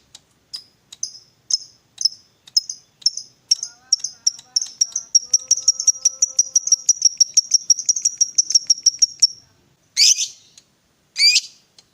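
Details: Fighter lovebird in ngetik ticking chatter, used to coax a silent lovebird: spaced sharp ticks speeding up into a rapid high rattle, then two harsh squawks, with faint tonal background sound.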